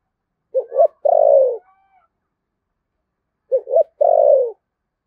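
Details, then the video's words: Spotted dove in Đồng Nai, Vietnam, calling in the 'thổ sấm' voice, 'thúc gù' style. Two phrases of paired short low coos end in a drawn-out descending coo. The surroundings are quiet. "cu gáy giọng thổ sấm Thúc Gù bài bản chuẩn nhất Đồng Nai"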